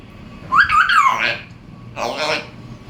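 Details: Pet African grey parrot indoors producing a warbling, harsh rising-and-falling vocal phrase followed by a broad raspy burst, in a quiet room.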